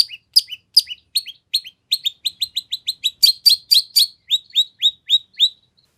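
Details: Energetic long-tailed shrike song rich in varied phrases, played as a lure so another shrike answers at once; quick series of high downslurred chirps, about four per second, steady and unbroken throughout.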